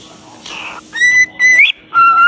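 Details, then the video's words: Parrot singing: a short run of clear, pure whistled notes. A steady level tone comes first, then a higher note that flicks sharply upward, then a lower sustained whistle, over faint background hiss. "Bird singing"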